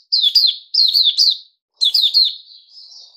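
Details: Puteh Raja bulbul, recorded 8 May 2021 while fed fruit juice and a mealworm: two quick loud warbled phrases of rolling, bouncing notes, then a thinner fading whistle.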